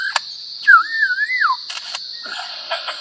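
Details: A lyrebird, a mimic that can imitate anything, used as a tutor recording, gives one clear, wavering whistle that rises and falls for about a second, between sharp clicks, over a steady high insect-like hiss.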